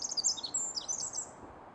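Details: Pacific Wren in forest undergrowth in the Pacific Northwest, near a road: a rapid tumble of very high, thin, tinkling notes and trills racing without pause, over faint background hiss.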